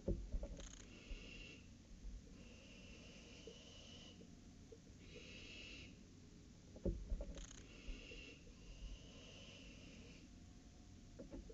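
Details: Barn owl nest on the night of an owlet's first flight, 23 July 2018, late evening; long rasping hisses lasting one to two seconds, repeated in pairs, with a few sharp clicks and a low rumbling background.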